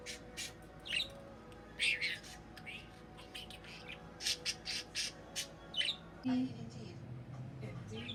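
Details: Male pet budgerigar chatters in quick, buzzy bursts and whistled chirps, imitating human words, talking to another budgie.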